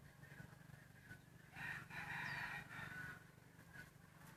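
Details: Rooster roaming free across Hmong hillside fields and forest, foraging on grass; a single hoarse crow of about one and a half seconds, rising then holding, set against a steady low engine-like drone and distant bird chirps.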